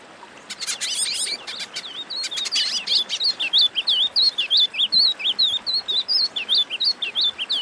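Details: Wing-barred seedeater warm-up song used to train birds: an opening burst of dry, rapid chips, then a long string of quick, bright, slurred whistles repeated about three times a second, rising and falling.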